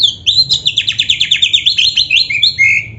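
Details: Oriental magpie-robin (kacer) delivering a continuous fast trill of about twenty buzzy, sweeping notes, ending in a drawn-out downslurred whistle, part of its 'gacor full isian' song.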